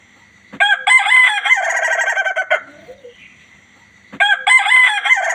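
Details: Ayam ketawa rooster, described as a strong, lively crower: a long harsh crow with rapid stuttering, laugh-like pulses, then a second crow beginning after a short pause.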